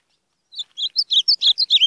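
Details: Ultramarine grosbeak (azulão) with an unusual song: a rapid series of about ten sweet, warbled whistled notes in quick succession, fairly high and clear, starting after a brief silence.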